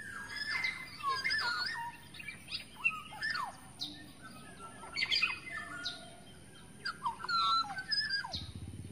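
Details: Black-naped Oriole in the wild forest, a lure call: repeated falling whistled notes and clear fluty slurs. Many overlapping chirps and sharp high notes from other birds fill the nine seconds, with a short low rumble near the end.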